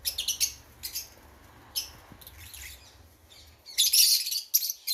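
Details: Fischer's lovebird chicks nearly ready to leave the nest give harsh, high, raspy chirps in irregular bursts, loudest near the end, with quiet gaps between.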